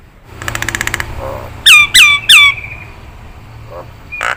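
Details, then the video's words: Nias hill myna singing in a training recording for songbirds: a rapid buzzy rattle, then three loud downslurred whistles in quick succession, followed by quiet pauses and a short harsh note. "Sekali klik Masteran ini.. JALAK NIAS mudah ditiru"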